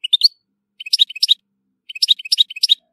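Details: European goldfinch from Tissemsilt, Algeria, singing short bursts of rapid, high, tinkling twittered notes in three quick phrases separated by brief pauses, with no other sounds.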